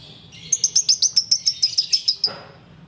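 Sooty-headed bulbul giving a fast, high chattering run of about a dozen sharp notes, roughly eight a second, ending in a lower rasp.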